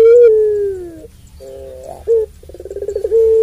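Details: Long-voiced puter pelung dove, used to stir other doves: a drawn, slightly falling tonal coo, a soft pause, then a short note, a rapid pulsed trill and another sustained coo.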